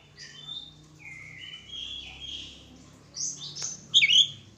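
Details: White-rumped shama kept during a mating pairing, giving varied whistled phrases with sliding tones and a louder burst of sharp, rising notes near the end.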